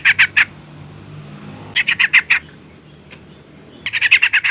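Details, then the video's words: Sooty-headed bulbul female calling to lure a male, giving short bursts of three to six harsh, rapid chattering notes separated by brief pauses. "suara panggilan trucukan betina EMOSI gacor pancingan bunyi burung trucuk jantan"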